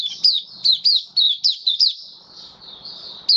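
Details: Captive white-eye singing on 18 May 2022 after finishing deworming treatment. High down-slurred notes come in quick succession for two seconds, then a softer thin warble over faint background noise, closing with one more sharp chirp.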